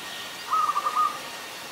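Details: Adult zebra dove, Ubon Ratchathani, Thailand, 24 February 2022, giving a single quick burst of soft, staccato cooing notes, about half a second long, over quiet background hiss.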